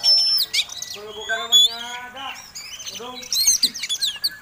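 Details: Fighting-style Oriental magpie-robin song, called kacer tarung ngobra ngotot and meant to provoke rival birds. High pure whistles open, followed by lower stacked harmonic notes and ending in rapid rising and falling chirps.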